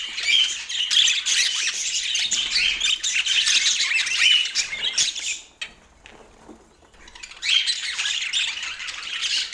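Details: Pet budgerigars in Portland chattering in a dense, high warbling stream of chirps and squeaks, briefly falling quiet around the middle before the busy twittering resumes.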